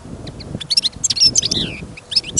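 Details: Caged European goldfinch kept for trial listening, singing outdoors during a trapping trip amid sudden snowfall and wind: quick high twittering notes and short buzzy slurs in a loose burst, with low wind rumble underneath.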